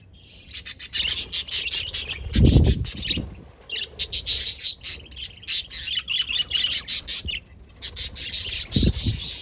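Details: Several budgerigars (Melopsittacus undulatus) keep up a steady, busy flock chatter of high, scratchy chirps and warbles, all at once, with a couple of low thumps in between.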